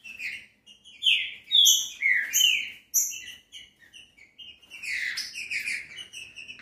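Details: Green-winged saltator song played to stimulate a captive bird to sing: loud, rich whistled phrases sliding down and up, with some rising notes and short high chirps, phrases separated by brief pauses.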